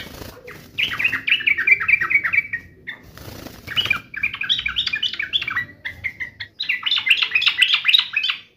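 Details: Sooty-headed bulbul, agitated and in fighting mode, singing rapid bursts of chattering, slurred notes in three runs separated by short pauses, with a brief flutter of wings near the start.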